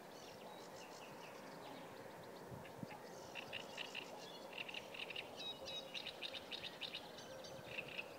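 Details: A Sedge warbler (Acrocephalus schoenobaenus) by the Kyjovka stream at Lanžhot, Czech Republic, on 15 May 2016, sings a rapid, jumbled chatter of scratchy notes and high chirps over a steady low rumble.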